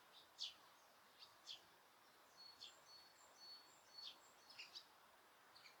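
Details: Osaka Castle Park birdsong, noise-reduced, park empty of people: short, sharp high chirps and thin whistled notes, irregular, about one a second, with a faint background hiss.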